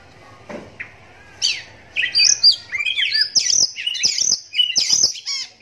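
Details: Oriental magpie-robin kept in captivity, one-eyed since youth, delivering a bold song meant to prompt other magpie-robins to reply: after soft opening notes, a rapid run of high whistles, rising slurs and sharp chips.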